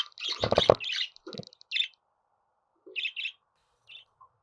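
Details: Budgerigar sounds to get pet birds singing; a loud, harsh burst of squawky chatter opens, then softer chirps follow and fade out.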